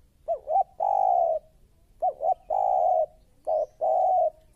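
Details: Spotted dove, a lure bird for trapping, giving loud cooing phrases: two short rising-falling notes then a long level coo, repeated three times, with a quiet background.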